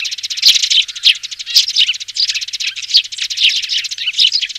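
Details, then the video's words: Young sparrows chatter in a dense, continuous stream of high, scratchy chirps, several birds overlapping with brief louder peaks about every half second; played through a speaker to lure sparrows down for trapping. "Tiếng Chim Sẻ Non ( Tiếng Xuống)"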